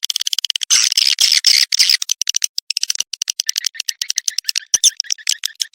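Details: Swiftlet courtship call of the 'Birahi Lintas Senja' style, used to lure swiftlets, 2023: rapid, dense high twittering chirps, buzzy bursts in the first half, then separate sharp clicks and chirps several per second.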